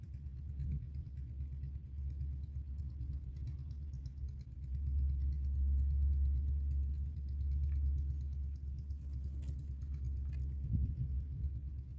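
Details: Only a low, steady engine-like rumble is heard, with no animal calls.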